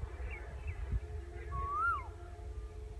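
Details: Asian koel heard while walking along a railway track: one clear whistled note that rises then drops away, standing alone over low rumbling background noise.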